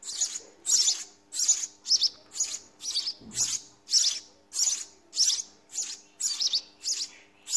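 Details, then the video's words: House sparrow parents feed their nestlings in the nest, and the babies beg with high, raspy chirps in quick bursts, nearly two a second, over a faint low hum. "Sparrow feeding babies in nest"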